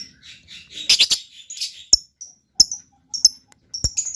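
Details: Lovebird with a rapid scratchy twitter at the start, followed by separate sharp, high chirps and clicks spaced about half a second apart.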